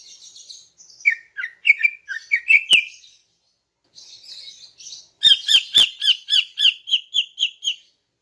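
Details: Female greater green leafbird singing at morning to lure males: a scratchy, warbling phrase of rising slurred notes, a pause, then a brisk series of about twelve sharp repeated high chirps.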